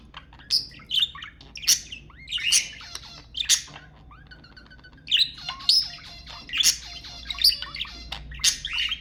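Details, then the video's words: Budgerigar chatter meant to encourage breeding: a fast, continuous warble of scratchy chirps and squawks, with nasal, buzzy harmonic notes and brief quieter pauses. "تحفيز البادجي على التزاوج حفز طيورك"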